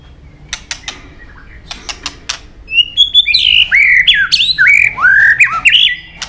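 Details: White-rumped shama in training, singing a long multi-voiced song: clicking notes first, then loud whistled phrases that slide and bend between high and mid pitch in quick succession.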